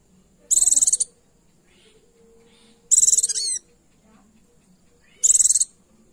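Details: Calling female Oriental white-eye luring a male and rousing his song: three high, fast, rattling trill bursts about two seconds apart, the second ending in a brief downward squeak, with a soft steady tone in the background.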